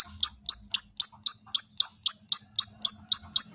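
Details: Long-tailed shrike song used as a lure so a silent shrike begins singing: a fast, very regular run of identical sharp, high chirps, about four each second.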